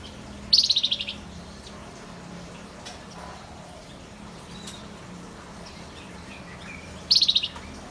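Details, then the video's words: Singing male Javan white-eye: two brief, rapid, slightly descending high trills, each a string of sharp notes, separated by roughly six seconds of near quiet with faint distant chirps. "Suara burung Wergan Jawa‼️ FLAMBOYAN JANTN GACOR"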